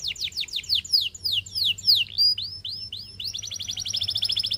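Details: Canary song of loud downward-sweeping whistles, a few rising slurs, then a fast, tight, rattling trill.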